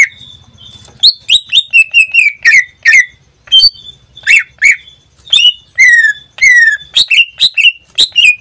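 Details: Greater green leafbird in a cage, singing varied whistles that rise and fall, with a thin steady tone and several sharp downward-sliding notes, over a faint low hum.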